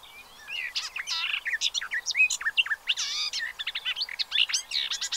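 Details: Pied avocets and chicks at a reserve observatory in Séné, Gulf of Morbihan, recorded 30 April 2023. A busy mix of clipped piping notes and ringing, harmonic-rich calls, densely overlapping throughout.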